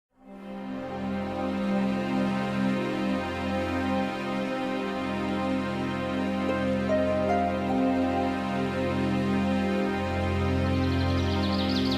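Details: Soft, sustained ambient music with steady low drones and gentle tones throughout; no bird or other animal calls can be picked out.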